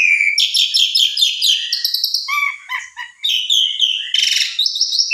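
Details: Caged Asian pied starling bait song meant to trigger another bird's singing: fast chattering bursts, downward whistles, low gurgling notes, then a loud harsh rasp and rising whistled phrases.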